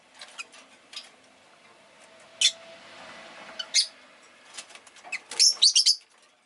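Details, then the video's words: Pet rosy-faced lovebird chirping over faint city background noise: scattered short, high chirps, then a rapid cluster of four bright chirps near the end. "Lovebird Chirping Sounds"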